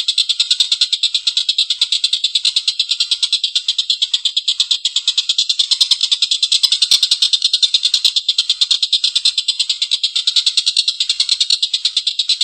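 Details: A long, rough laughing call from a Collared kingfisher in full voice. A grating chatter of rapid, harsh pulses keeps going without a break for over twelve seconds, with faint clicks in the background.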